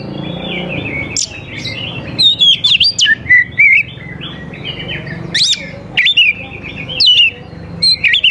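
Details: Oriental magpie-robin song used as a lure to get young wild birds singing: loud, varied whistled phrases with sharp rising and falling notes and rapid trills, in bursts every second or so over a low steady hum.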